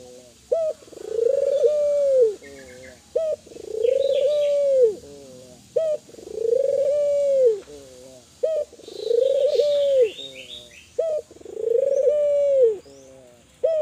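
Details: Spotted dove of the Kelantan type calling to get other doves to respond: five regular phrases about every two and a half seconds, each a clipped note plus a rounded purring coo and low tail, with faint twittering behind.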